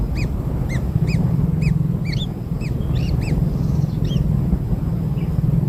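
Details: Newborn kingfisher chicks fed black insects utter a string of short rising-and-falling squeaks, regular at first and then scattered and softer, beneath which a low hum persists.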